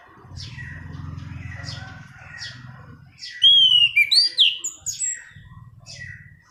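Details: Orange-banded thrush, rolling song for training and luring birds: soft repeated chirps over a low hum, then a loud burst of slurred and rising whistles, fading back into quiet chirping.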